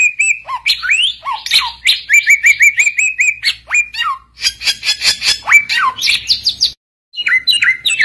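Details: Oriental magpie-robin in full, lively song, used to call rivals and prompt other birds to answer: a fast, varied run of clear whistles, upslurred and downslurred notes and short repeated chirping phrases, with a brief pause near the end.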